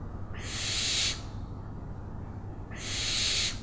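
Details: Owl giving two harsh, hissing screeches, each under a second long and separated by a pause of about one and a half seconds, over a low background rumble.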